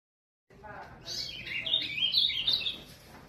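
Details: Caged Ultramarine Grosbeak (azulão) from São Paulo, Brazil, singing a rich warbled phrase of quick whistled and slurred notes that climb and fall, growing louder toward the end, over faint low background hum.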